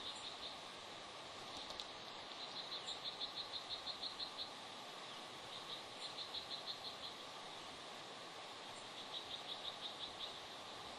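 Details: A mated pair of wild Bald eagles vocalizing during an afternoon incubation switch at a nest on Santa Cruz Island, part of a restoration project; three runs of quick, high, chittering piping notes, about eight to ten each, over constant hiss.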